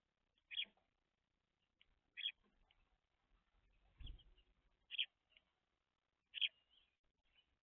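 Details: Young house sparrows, described as chirpy and fluffy, feeding messily on seed: sharp isolated chirps roughly every one to two seconds, separated by quiet, with faint rustling and a low thud midway.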